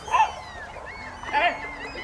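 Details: Great black-backed gull (Larus marinus) calling: two short, harsh, yelping notes about a second apart, each sliding down slightly in pitch, over a faint steady background hum.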